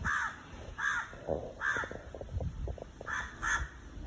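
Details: An Indian crow cawing from a tree gives harsh, hoarse caws, about five in four seconds at an uneven pace, over low background rumble.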